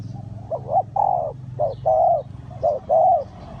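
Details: Low, mellow spotted dove coos at a bird trap in Ninh Thuận, Vietnam: three phrases, each a quick rising double note then a drawn-out croo, above a constant low droning hum.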